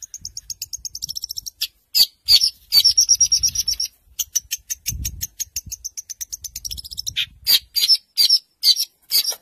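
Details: Long-tailed shrike from a 2020 compilation of contest song material copying other birds: broken, high, chattering trills and scattered sharp ticks in uneven bursts, with soft low thumps in the background.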